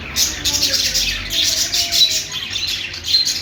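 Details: Budgerigar singing with a continuous, busy, high-pitched warble of chirps and twittering notes, steady throughout with small swells in loudness.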